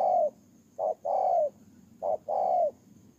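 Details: Spotted dove kept as a ground decoy bird, recorded 23 September 2018 in Tu Mơ Rông, Kon Tum, Vietnam; a short mid-pitched coo followed by a longer, slightly falling croon, the pair repeated about every 1.2 seconds.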